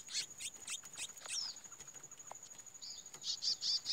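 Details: Male chestnut-bellied seed finch in its first fight after moulting gives quick, sharp, high chirps and twitters, about two a second, over a thin steady high whine.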